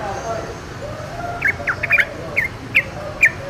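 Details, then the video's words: Chirping of a wild yellow-vented bulbul: after a quiet second and a half, six or seven short sharp notes come in a loose irregular series. "KICAU TRUCUKAN DI ALAM LIAR"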